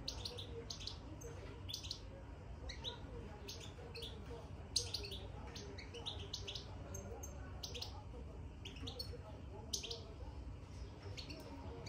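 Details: Caged European goldfinch, recently put into its cage, gives short, high chirps in loose, uneven series over a steady low rumble of background noise.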